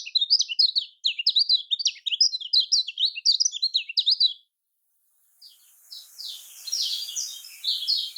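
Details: Kecial kuning (lemon-bellied white-eye), Lombok type, delivering fast, jerky high twitters in phrases of about a second, pausing, then resuming with buzzier, scratchier notes.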